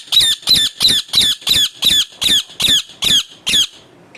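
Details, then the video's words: Indoor pet parrot screeching a steady series of ten loud, rasping squawks, one roughly every third of a second, with no words spoken and nothing else audible. "bolane wala tota"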